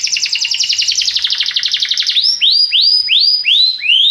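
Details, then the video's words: Belgian canary singing a popular song: a fast, even rattling trill of about two seconds, then a series of loud rising whistled notes repeated roughly every half second. "a canção do canário belga que é popular"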